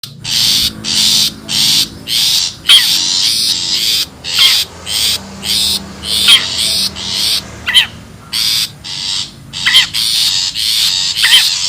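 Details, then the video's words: Wild long-tailed shrike recorded for use as a bird lure: harsh, rasping scolding bursts repeated nearly twice a second, with short rising-falling chirps between them. "SUARA ASLI PIKAT CENDET,PENTET ALAM LIAR"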